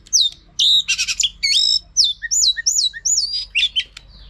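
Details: Female Oriental magpie-robin (Copsychus saularis) calling to excite males into singing: high varied phrases of rasping buzzy notes, then a run of clear up-and-down slurred whistles about every half second.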